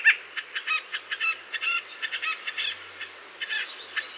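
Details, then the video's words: White-breasted nuthatch in a North American forest: a steady run of short nasal notes, about fifteen in four seconds, some paired, over faint background chirping. "White-breasted Nuthatch Bird Call"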